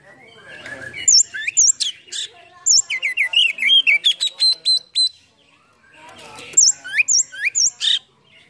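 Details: Lively white-rumped shama song in two phrases: rapid series of clear whistled notes, chirps and fast trilled elements, separated by a brief silent gap.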